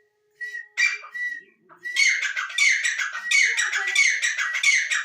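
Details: Harsh grating francolin call. Hesitant buzzy notes and a brief pause lead into a continuous chain of loud rasping, crackling bursts, rapidly repeated with a thin even tone running underneath.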